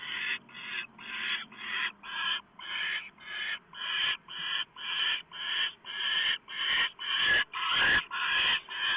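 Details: Owl at a nest on the evening of November 1, 2015, around 7:12 PM, delivering a small mouse. Harsh, raspy hissing bursts come about twice per second in a steady run, with faint clicks between them.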